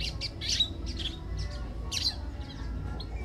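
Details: Pale baywing, known locally as cajaca, casaca-de-couro or pardal do mato, giving a quick series of bright, high chirped notes in several bursts over about three seconds, with steady low rumbling background noise.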